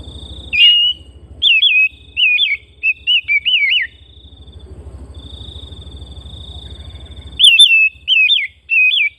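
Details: Home-kept Oriental magpie-robin singing for bird-training therapy: bright whistled phrases that wobble up and down, delivered in short bursts with brief pauses, over a steady high insect-like drone and a low rumbling hum.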